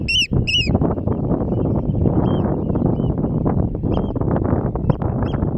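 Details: Eurasian oystercatchers on grassland and mudflats at Terschelling, the Netherlands; one gives two loud, shrill piping 'kleep' notes, then scattered fainter calls, over steady rumbling wind or surf.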